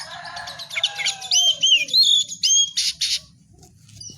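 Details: White-rumped shama singing: varied high whistled phrases with sliding, looping notes and a few harsh buzzy bursts, over a low steady hum.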